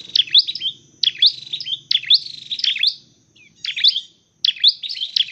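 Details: Dark-necked tailorbird, trained and used for trapping, delivers loud bursts of sharp, high chirps roughly every second, separated by short silences.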